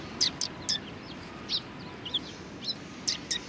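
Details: Sparrows at a Tenmangu shrine in February 2020 giving short, sharp, high chirps, single and in quick pairs, spaced irregularly over a few seconds against a low steady background hum.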